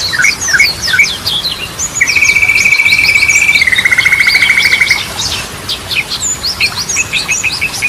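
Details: Yellow-vented bulbul song in its Ropelan, Goklikan and Garudaan styles: quick chirps lead into a long, steady, buzzing trill lasting about three seconds, which steps slightly lower before returning to lively chattering notes, meant as a lure to open up stuck birds.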